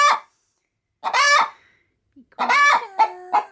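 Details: Pet hen getting ready to lay in a bag of chicken feed, cackling at an approaching person: rasping squawks, the last run overlapped by a woman speaking softly in Spanish.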